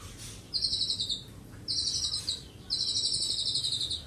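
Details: Colony-bred juvenile white-rumped shama, Medan strain, six months old and eighth generation in captivity: three high, buzzy, rapid trills of about a second each, separated by short pauses, over low background noise.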